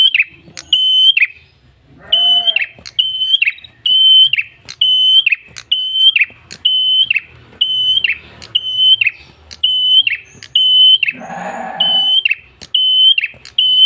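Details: Tailorbird with a red head, recorded as a training and lure track for birds: a long run of steady, high whistled notes with quick falling tails, spaced about a second apart, with faint background noise and a short rough burst near the end.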